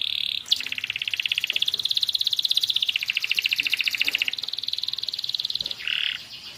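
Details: Young canary singing a long, fast rolling trill of rapid repeated notes, pitched high and held steadily for several seconds, with brief higher chirps at the start and end; used as a tutor song to get silent canaries singing.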